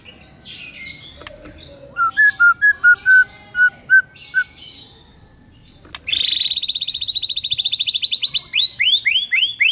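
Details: White-rumped shama showing its repertoire in a morning lure song: a string of evenly spaced clear whistled notes, then a sharp snap, then a long, fast, buzzy trill ending in quick upslurred notes.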